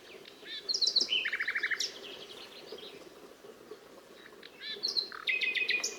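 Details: Nightingale singing: high chipping notes, then a fast string of about nine repeated lower notes. A pause with soft fragments follows before another burst of high chirps and a trilled phrase, over background hum.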